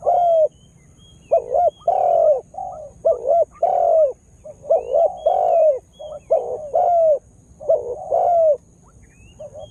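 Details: Spotted dove lure bird, just starting to sing actively to excite wild doves; a long, unbroken string of loud rolling coos, paired short and long notes with rising flicks, repeated steadily, faint high bird chirps behind.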